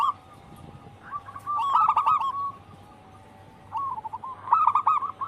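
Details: Local wild zebra dove singing actively: sparse phrases of quick, rolling coo notes, each ending in a held coo, with long quiet intervals between them.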